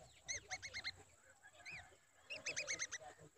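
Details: Babbler mother protecting her chick in danger, giving bursts of harsh, rapidly repeated chattering notes in quick series, with a pause and a softer call between bursts; a steady high hiss runs throughout.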